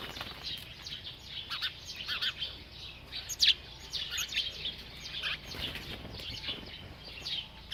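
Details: Bird eating and chirping steadily, with a run of bright, sharp high chirps in loose clusters and one louder chirp near the middle, over faint low rumble.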